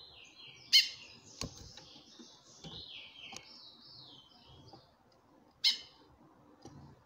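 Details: Female chestnut-bellied seed finch calling often to attract a male, who answers with song: two loud, sharp, bright call notes about five seconds apart over faint warbled whistling and a few clicks.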